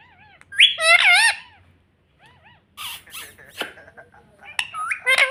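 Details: Green ringneck parrot kept as a pet, talking "mummy": shrill, wavy-pitched harmonic syllables in quick bursts, with gaps and faint rustling, plus human voices around it indoors.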